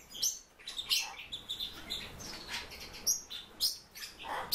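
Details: Captive Silver-eared mesia (Leiothrix argentauris) giving a busy stream of high, sharp chirps and brief whistled notes, tumbling over one another at an irregular, rapid pace.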